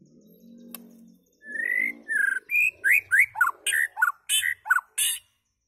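White-rumped shama singing a fast run of about a dozen rich, whistled and slurred notes, some rising and some falling, after a brief low hum.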